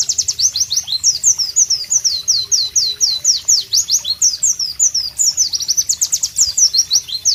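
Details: Pleci, the white-eye, singing clearly and rhythmically with tropical surroundings behind: dense series of high, piercing slurred whistles, each dropping in pitch, run together into a bright, continuous warble.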